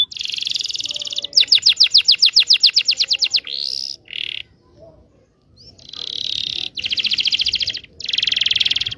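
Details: Canary long song for training young canaries: buzzy rolls alternating with a rapid clicking trill, a few short upslurred notes, a brief pause, then more sustained buzzing rolls.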